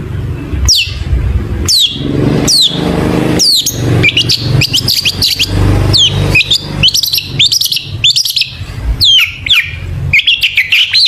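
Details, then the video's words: Long-tailed shrike singing lively with varied fill-in phrases, used as a lure to make shrikes sing: repeated sharp downslurred whistles and chattering bursts, growing busier after four seconds, over a constant low rumbling hum. "burung cendet gacor FULL ISIAN BONGKAR JITU, PANCINGAN CENDET AGAR BUNYI jadikan BURUNG PENTET GACOR"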